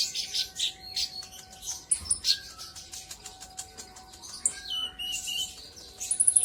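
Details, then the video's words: Sunbird lure song, a brown-throated sunbird, intended to make rivals sing: quick high chirps and buzzy twitters with clicky accents, quieter in the middle, closing with a fast run of piercing high notes over a hum. "Pancingan burung konin kolibri ninja auto gacor"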